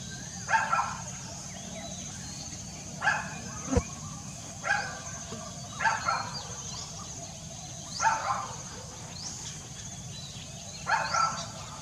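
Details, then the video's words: African grey parrot, recorded 5 April 2020, repeating a single rough, harmonic squawk every two to three seconds, six calls in all, against a low steady background hum. "African Grey Parrot"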